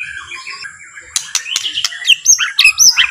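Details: Soft white-rumped shama song, used to provoke rival shamas into singing. Faint warbling builds into quick, bright chirps and upward-flicking whistles in the second half.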